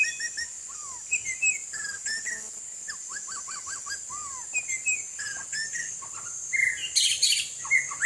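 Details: White-rumped shama singing while bathing in rain: varied clear whistled phrases, short rising and falling slurs and quick repeated notes, set against a steady high hiss.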